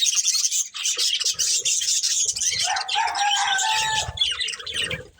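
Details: Breeding pair of budgerigars chirping while eating: dense, scratchy high warbling and chatter in quick irregular bursts, with a steadier, lower drawn-out tonal call in the latter half.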